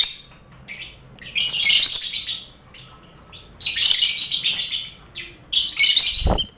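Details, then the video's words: Lovebirds, together with finches and quail in a colony cage, heard as training for competition birds; long loud stretches of harsh, high chattering alternate with quieter scattered chirps, and a low thud near the end. "Sound Koloni Lovebird"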